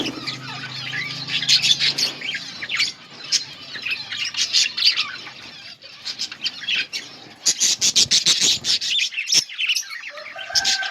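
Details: Budgerigars in a colony chirp while feeding, a crowded mix of high warbling chatter and harsh squawks; a low hum sounds at the start, a short lull near six seconds, then the chatter swells again.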